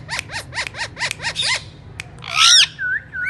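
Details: Alexandrine parakeet uttering a quick series of about seven short chattering notes, then one loud harsh squawk and two short whistles, over a low hum.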